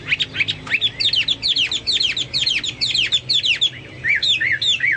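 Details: Chinese hwamei in full song, said to sound like cucak Papua or cucak mas: dense, tumbling sequence of sweeping whistles and chirps, finishing with lower, looping slurred whistles.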